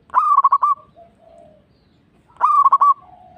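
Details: Local zebra dove used as a lure so other doves answer: two phrases of loud, stuttered trilled coos, each trailing into a soft, lower, drawn-out note.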